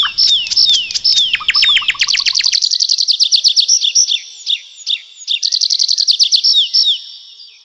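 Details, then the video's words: Nightingale in a nocturnal forest: opening downslurred whistles and clicks, then long fast rattles of high repeated notes with brief pauses, with a steady high tone beneath the phrases. "How beautifully the nightingale sings"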